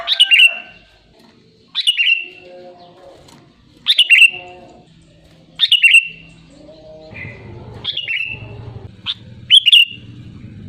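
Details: Sooty-headed bulbul repeating bright, falling whistled phrases about every two seconds. A low hum and rumble build up in the background later on.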